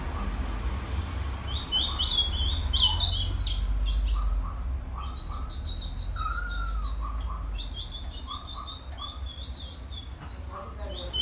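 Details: Colour-mutation ultramarine grosbeak singing: short high whistled phrases in quick bursts alternating with lower whistled notes and one longer slurred note, over a constant low rumbling background noise.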